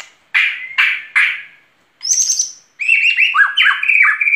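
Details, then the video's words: Murai batu, white-rumped shama, singing gacor in 2021: three loud, slurred whistled notes, a thin high buzzy trill, then a quick jumble of bright whistles dropping and rising. "SUARA BURUNG MURAI BATU GACOR"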